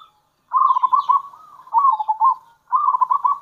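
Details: Zebra dove of local stock giving kerot and bekur calls as a lure. Trilled bubbling coos run almost without a break, forming three connected phrases with slight dips in pitch.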